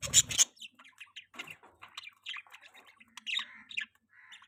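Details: Budgerigar chirping during mating: a brief loud rustle, then a busy run of short, scratchy chirps and squeaks with quick rising and falling notes, some at a higher pitch.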